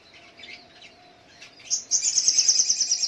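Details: Little spiderhunter in the morning: soft scattered high notes, then a loud run of rapid, sharp, high-pitched chips repeated about three times a second in the second half.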